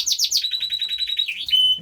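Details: A male Belgian canary in a February birdroom, ahead of breeding season, sings a fast run of bright, rolling chirps that ends in a clear, high whistle; the cocks have sung all winter.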